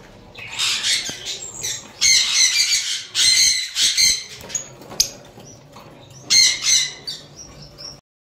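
Lovebirds give shrill, harsh chattering squawks in bursts of about a second, high-pitched and overlapping, with brief pauses and some wing flutter between bursts.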